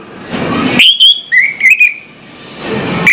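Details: Orange-headed thrush giving long, pure whistled notes and a stepped phrase in the morning, framed by soft hissing background noise.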